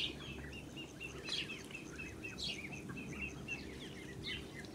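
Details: Ducklings of a blue Muscovy duck, out with their mother on a farm on 8 July 2017, give high, sharp peeps in small clusters about once a second against a constant low background rumble.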